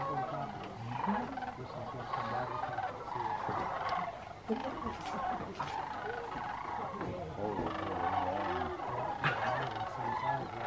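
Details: A large, growing flock of migrating sandhill cranes gives a continuous, overlapping chorus of rolling, trumpeting rattles at Jasper-Pulaski Fish & Wildlife Area, Indiana, on October 9, 2022, with people talking faintly.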